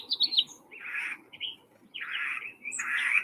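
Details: House finch (Haemorhous mexicanus) song: squeaky, repetitive, warbled phrases that jump up and down in pitch in quick, somewhat erratic bursts, with a faint low hum underneath.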